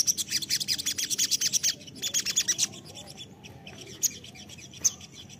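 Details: Crested jay lure call: a fast, dry, rattling series of sharp high clicking notes for about two and a half seconds, then a quieter stretch with a few scattered ticks.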